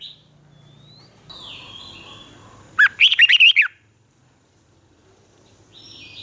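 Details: Thai red-whiskered bulbul in a cage, its southern-style master song played to stimulate birds and teach chicks: a single brisk phrase of about six rich, looping whistles in the middle, with soft background hum and quiet tones around it.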